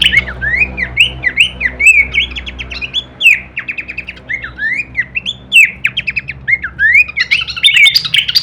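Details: Horsfield's babbler masteran training song, full variation with kleperan chatter: rapid run of rising and falling whistled slurs, interspersed with short buzzy bursts, with a faint low hum underneath.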